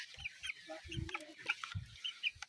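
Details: Broiler chickens on a farm suffering heat stress in summer: short scattered clucks and thin high chirps overlap, with dull low thumps and shuffling noises in between.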